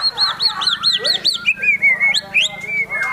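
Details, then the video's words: White-rumped shama singing in high excitement, a run of six looping arched whistles repeated quickly, then a sliding whistle and sharp upward notes. "MURAI BATU GACOR EMOSI TINGGI NEMBAK ISIAN GAYA MEWAH"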